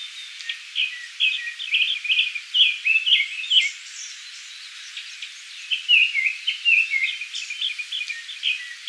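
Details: Japanese thrush singing at Kiyokawa village, Japan: two bursts of rich, varied whistled phrases, each a quick series of fluty notes and trills, separated by a brief pause, with faint high background hiss.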